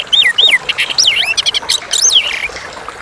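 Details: Chestnut-capped thrush singing clearly: a run of varied whistled phrases, loud slurred notes sweeping down from high to lower pitch and arching up and down, mixed with quick sharp high chips and short trills, steady faint background hiss.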